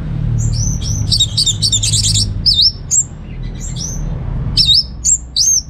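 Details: Lure song of a kept orange-headed thrush from North Bali: high, sweet whistled phrases with looping, slurred notes and a dense chattering burst, then several upslurred whistles against a soft rumble.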